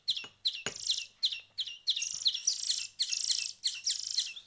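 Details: Young songbird chicks after a week of hand-feeding, begging: rapid high, harsh chirps with buzzy rasping tails, repeated about twice a second in a continuous run, with a faint low hum beneath.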